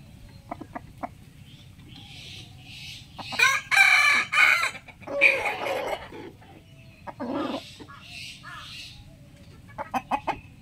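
A rooster gives a loud, hoarse crow in two long drawn-out bursts, framed by short clucks and sharp clicks before and after.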